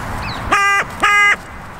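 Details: Carrion crow in a park, west-northwest side where five or six territories converge: two loud, nasal, strongly harmonic calls, each about a third of a second and steady in pitch, given half a second apart over quiet background hum.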